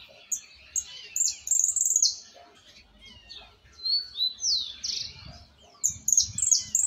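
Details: Young Argentine white goldfinch singing a misisipi song it is still refining: loud bright high twitters and quick sweeping whistles in rapid clusters, a pause, then more chattering phrases and sharp chirps.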